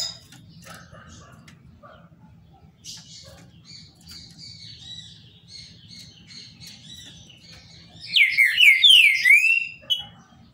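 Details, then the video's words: Caged Green-winged Saltator (trinca-ferro) of the Paraná type, kept by a licensed breeder, sings softly with faint high notes, then gives a loud burst of rich, slurred, whistled phrases near the end. A low hum runs underneath. "TRINCA FERRO PARANÁ CANTANDO BONITO"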